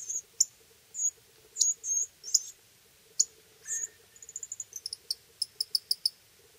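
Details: In Terlingua, Texas, in summer 2013–2014, Pyrrhuloxia chicks fed by their hand-fed wild father give thin, very high squeaky chirps, then a fast run of short ticking notes over a faint low steady hum.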